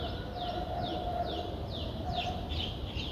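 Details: Nine-day-old Streak-eared Bulbul nestlings, whose eyes open at seven days, in Ubon Ratchathani, Thailand, on 11 April 2023: high, thin down-slurred notes repeated roughly every half second over a steady low hum and background noise.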